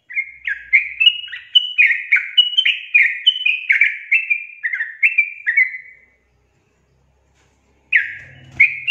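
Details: Sooty-headed bulbul song as a lure for birds slow to sing: six seconds of quick, bubbling whistled phrases that rise and fall, then two seconds of silence, then the song resumes with a soft thump.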